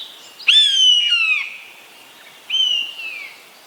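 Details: Bird of prey, the Eastern buzzard, uttering a long, hoarse, descending mew followed by a second, thinner and quieter one about two seconds later. The background is calm.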